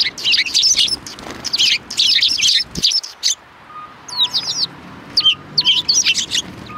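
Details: A group of sparrows chatters at a Tenmangu shrine on 4 March 2020: dense, overlapping high chirps, a short lull, then thinner, sweeping tweets resume.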